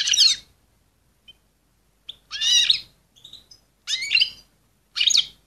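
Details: Excited female European goldfinch calling to stimulate and ready males: bright, sharp chirps and short twittering bursts, about four phrases with brief silent gaps between them, plus a few faint thin notes.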